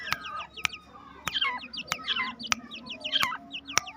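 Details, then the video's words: In a home aviary, black francolin chicks two months old chirp after being let out happily. Their clear, high notes drop in pitch and are repeated in lively clusters, with regular sharp clicks between them. "Two Months old Irani Teetar Chicks Voice Full Video Happy Due To Open In Home My Birds Aviary"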